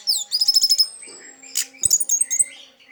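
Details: Orange-headed thrush in 'teler' song, used as a prompt for stalled orange-headed thrushes: a rapid run of high repeated notes, then scratchy and chirping notes mixed with a few soft knocks.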